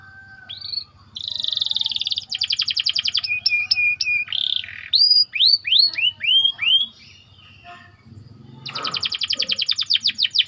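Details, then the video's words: White canary singing a dense rolling song, kept as a training model for other canaries; buzzy trills, rapid repeated slurred whistles and high chirps in fast sequences, ending in a quick rattling roll. "Burung Kenari Ngerol Rapat"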